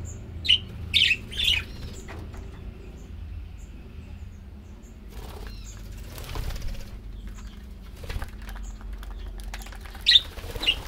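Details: Many budgerigars being bred together in a large aviary cage give short, bright chirps in scattered bursts over a low background rumble; Budgerigar.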